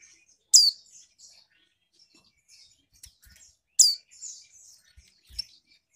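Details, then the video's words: Caged female Mountain White-eye from Malang, East Java, calling to arouse males: two loud, sharp, high descending notes about three seconds apart, each trailed by soft twittering, with faint clicks between. "Pancingan Monty Bety. Monty Jantan Pasti Nyaut"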